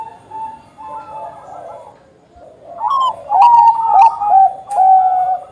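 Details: Song of a Bangkok-type zebra dove, played as a lure to get other zebra doves singing quickly: soft, quiet coos at first, then louder, clear rolling cooing phrases repeated in short bursts.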